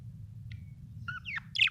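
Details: Happy budgerigar chirping: after a faint short note, a quick run of rising and falling warbled chirps builds to a louder, bright trill at the end, over a low steady background hum.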